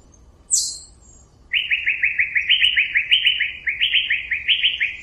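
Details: Asian fairy-bluebird giving a brisk run of short, bright, downslurred notes, about a dozen in quick succession with slightly shifting pitch, after one high thin note; quiet low background hum.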